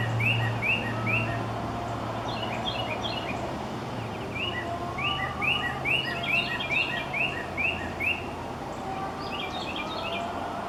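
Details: Northern Cardinals give short, bright arched notes in quick runs of three to five, with higher twittering from other small birds and a low steady hum underneath.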